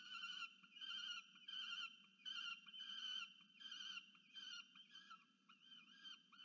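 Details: Peregrine falcon chick at a nest monitored by a research webcam at Charles Sturt University, Orange, New South Wales, Australia, 13 November 2022, demanding food from its parent: loud, harmonic wailing cries in bursts, roughly one and a half per second, with a low hum underneath.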